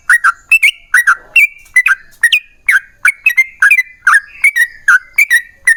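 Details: Energetic yellow-vented bulbul song, a long quick phrase used as a lure for other bulbuls. Rich, liquid chirps tumble in doubles and triples, some with upward flicks, at an uneven, rapid pace.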